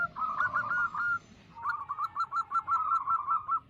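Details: Local wild zebra doves, recording meant to draw in wild doves for catching: two fast trilled phrases of short rippling cooing notes separated by a short pause.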